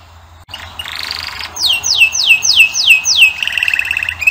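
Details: Male canary in song: a brief high trill, then six loud downward-sweeping slurred notes in quick succession, closing with a low rolling trill.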